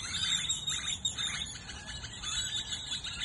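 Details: Hundreds of birds chirping as the sun sets in Goodyear, Arizona: a dense, overlapping chorus of high, quick chirps and twitters repeating without pause, over a soft, steady low rumble.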